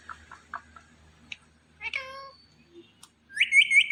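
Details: Green Indian ringneck parakeet, a pet talking parrot, utters soft clipped syllables, a clear harmonic speech-like phrase, then a high, quickly repeated whistled trill at the end.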